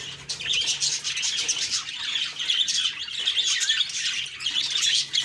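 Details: Budgerigars on a morning, October 2, 2023, chattering in a dense, continuous stream of high chirps and warbles with scratchy squawks woven throughout, several birds overlapping without pause.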